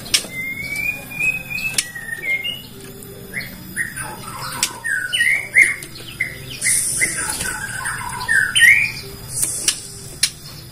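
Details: Bornean white-rumped shama from Indonesia singing a lure song that shows off its learned repertoire to provoke other shamas into singing: a varied run of short whistled and slurred notes, some rising, some falling, with sharp clicks between phrases.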